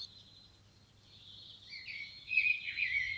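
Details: Common blackbird outdoors in natural surroundings, Romania; a soft, thin high warble that swells into a louder, slurred whistled phrase dropping in pitch near the end, with faint low background noise.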